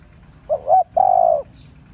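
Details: Cooing of a female spotted dove meant to stimulate male doves: two brief bending notes leading into a sustained even coo, clean and close.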